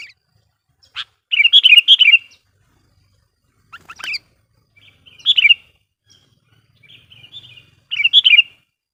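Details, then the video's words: Sooty-headed bulbul lure song used to draw in wild bulbuls: short bubbly warbled phrases, each about a second long, repeated with pauses, with single chirps in between. "suara burung KUTILANG GACOR GARUDA bikin emosi kutilang liar"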